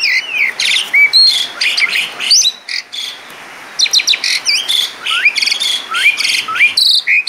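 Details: Asian pied starling singing actively (gacor) with a lavish fill-in repertoire (isian mewah): a continuous rush of varied phrases mixing clear rising whistles, sharp upslurred notes and buzzy, rasping chatter, broken by one brief pause.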